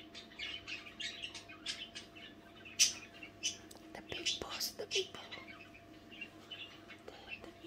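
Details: Budgerigars at night murmuring in soft, whispery chatter: quick scratchy twitters and faint squeaks, slightly husky and breathy, running irregularly with a low steady hum behind.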